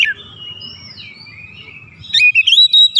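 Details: Oriental magpie-robin lure song meant to excite other birds: a long thin whistle sliding up and down, then a burst of rapid sharp chirps near the end.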